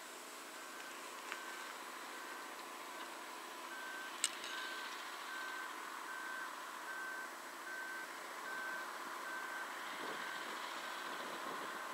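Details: A steady run of short, even electronic beeps, like a reversing vehicle, over a low background rumble of traffic.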